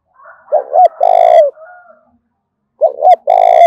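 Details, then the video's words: Lure cooing of a spotted dove, 'thổ đồng' voice, to stimulate calling: two phrases about two seconds apart, each a quick double note then a long buzzy-edged coo, with soft tonal noise after the first. "Tiếng chim cu gáy thúc cực sung/ chim cu gáy kích bổi hiệu quả"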